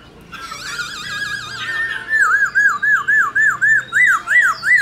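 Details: Wild-voiced song of a white-cheeked laughingthrush, used to train young birds to sing: a long wavering whistle that breaks into a fast run of looping up-and-down whistled notes, about three per second.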